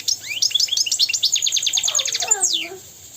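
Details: Song of a European goldfinch for teaching young goldfinches and canaries: a continuous, hurried stream of high chirps and twitters lasting over two seconds, ending with a sweeping slur and softer lower glides.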